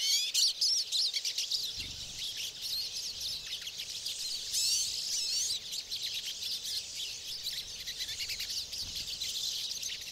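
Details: Flock of pine siskins in the boreal forest of Maine, 2011: continuous high, busy twittering and chattering notes, with a louder buzzy burst midway.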